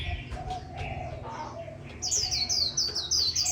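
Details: Japanese white-eye singing in the líu bệt style: after a quiet start, a fast run of very high, thin, sliding whistled notes, several per second, over a steady low rumbling background.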